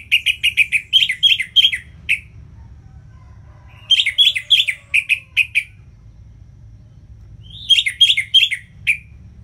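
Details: Orange-headed thrush singing, used to stimulate lazy kept birds: rapid series of bright chirped notes, about eight per burst, three bursts separated by pauses of roughly two seconds.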